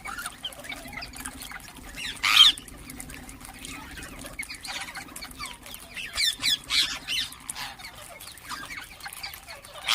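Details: Ring-necked parakeets: one loud harsh squawk early, followed by softer irregular chirps and a cluster of quicker notes later, over a faint low hum.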